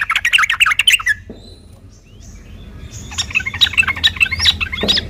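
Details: Yellow-vented bulbul singing a fighting song meant to provoke other birds into replying; a burst of rapid chattering notes, a pause with faint high whistles, then more sweeping, upslurred chatter.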